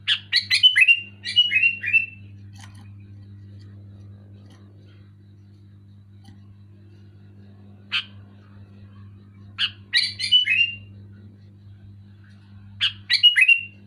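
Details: Sooty-headed bulbul giving loud, clear song in bursts: bubbly phrases of falling whistled slurs separated by long quiet gaps with single chirps, a low hum underneath.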